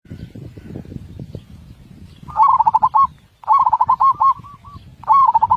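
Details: Zebra dove tutor song with a loud voice and tightly spaced beats: a mid-pitched rolling coo of quick staccato pulses, repeated in bursts about every one and a half seconds over a steady low rumble.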